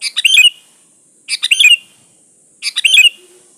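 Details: Sooty-headed bulbul in lively, full song, used as a lure to draw other bulbuls: three short bursts of bright, chattering whistled notes, each ending in a sharp upslurred note, repeated about every 1.3 seconds.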